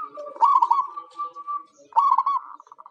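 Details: Local zebra dove used to lure wild birds: two rolling trilled coo phrases, each trailing into a long even purr, the second ending in separate beaded notes.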